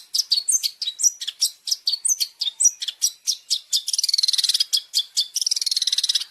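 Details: Long-tailed shrike tutoring recording with champion fill (isian): hooked, slurred high whistles alternating with sharp chips, then two fast buzzy rattling trills.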